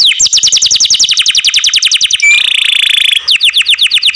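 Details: Canary kept in care delivers a loud song: a fast trill of falling sweeps, a brief whistle, a buzzy rattling phrase, then resumed quick sweeping notes.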